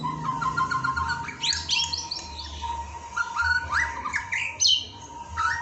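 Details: White-rumped shama song from a master training recording: varied rapid whistled phrases with sharp rising and falling sweeps and short trills, over a steady thin hum and low rumbling background.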